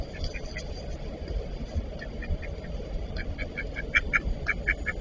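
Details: Eastern spot-billed duck pair fighting; faint scattered calls at first, then a quicker run of short, clear quacking notes near the end over steady low rumbling background noise.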